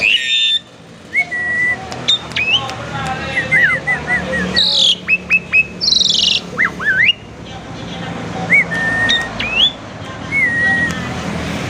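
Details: Kept Asian pied starling singing a varied lure song: short whistled slurs and chirps in bursts, a harsh noisy patch midway, then spaced whistles over faint background hum.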